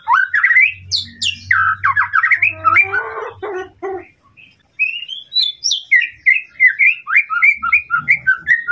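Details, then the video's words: White-rumped shama song to provoke a rival: loud sweeping whistles and chatter, a harsh rattling passage, a short pause, then a long run of bright repeated whistled notes; faint low hum early. "masteran murai batu untuk memancing emosi lawan"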